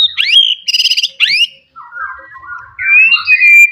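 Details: Loud song from a wild forest white-rumped shama aimed at provoking rivals: rising whistled sweeps with a buzzy trill, then softer warbles and a long high whistle.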